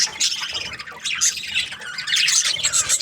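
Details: Budgerigars, described as Australian budgies in breeding season, chirping happily: a dense overlapping chatter of bright, scratchy twitters and squawks from several birds, continuous through the stretch with brief dips.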